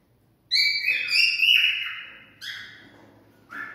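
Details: Whistling cockatiel singing to prompt mating: one long bright whistle that wavers and slowly falls, then two shorter whistles a second apart, the last clipped at the end.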